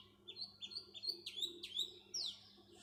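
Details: House sparrow giving a series of clear, sharp chirps, each a quick downward slur, about three per second, ending in a longer falling note; faint hum in the background.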